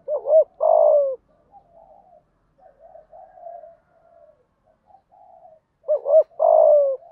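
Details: Morning calls of a decoy spotted dove luring wild doves: two loud phrases, each a quick double coo and a longer falling coo, separated by about five seconds of faint, distant answering coos.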